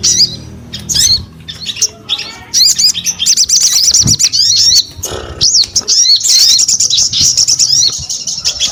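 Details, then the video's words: Sogon starting with scattered sharp chirps, then building into a long, fast high-pitched twittering stretch of repeated looping notes. "SUARA SOGON GACOR"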